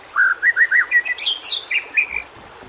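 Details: White-rumped shama tutor song to coax lazy singers: a string of short upslurred whistled notes, then a couple of higher slurred notes and softer whistles fading out.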